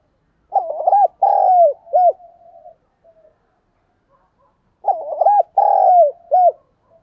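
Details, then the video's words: Decoy spotted dove cooing to provoke wild doves: two identical low, hollow coo phrases about four seconds apart. Each phrase has a stuttered opening note, a long rolling coo and a short final note, with silence between phrases. "Chim Cu Mồi, cu gay kich boi nhanh noi gù"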